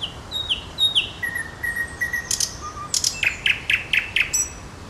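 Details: Nightingale song phrase opening with slurred, falling whistles, followed by a lower steady whistle, a few scattered notes, then a series of loud, sharp chirps repeated about five times in quick succession.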